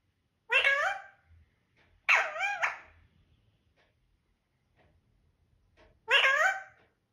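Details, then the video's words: Talking parrot saying "mithoo": three voiced phrases, the middle one with a quick double inflection, spaced irregularly across about seven seconds. "Parrot speaking mithoo"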